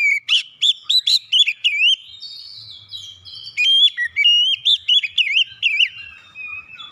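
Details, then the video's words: Oriental magpie-robin singing as a lure meant to excite and trigger quiet magpie-robins; bright whistled notes bending up and down in quick bursts, a pause with a steady thin high tone, then another run of looping whistles. "PANCINGAN KACER CEPAT EMOSI 100% KACER MACET MALAS BUNYI CEPAT GACOR"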